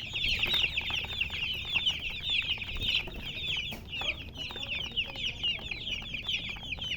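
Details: Chickens, described as colour chickens, in a steady dense chorus of high, quick downward-sliding chirps overlapping without pause, with a faint low hum underneath.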